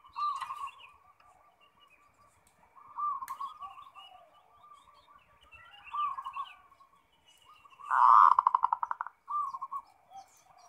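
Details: Kept zebra dove in 'ngerot' song, played as a lure so other doves respond: several soft, low cooing phrases spaced a few seconds apart, then one loud rolling burst of quick notes near the end.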